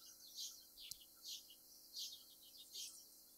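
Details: Rufous hummingbird, a feisty North American species. High, thin, down-slurred squeaky notes repeat roughly every three quarters of a second over a faint background hiss.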